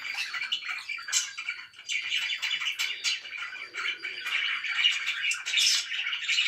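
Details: Very loud pet budgerigars: thick, unbroken chatter of overlapping chirps and scratchy warbles, steady in level with occasional brighter high notes.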